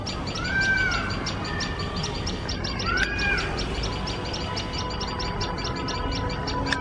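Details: Alarmed tailorbirds near their nest with a male cat dangerously close, giving steady, high, shrill chips at a quick even rate; two clear rising-then-falling whistles from another bird sound early on over background hum.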